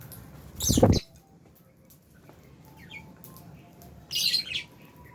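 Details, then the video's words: Captive albino and Fisher's lovebirds in an aviary make two loud harsh screeching bursts about three seconds apart, with a faint chirp in between and low hum behind. "Lovebirds Chirping Sounds"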